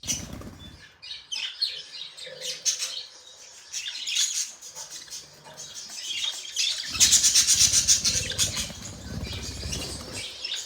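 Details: Pet budgerigars chirping in a busy, overlapping chatter of high, scratchy warbles and short squeaky notes, with bursts of louder rapid chirps near the end and some low rumbling underneath.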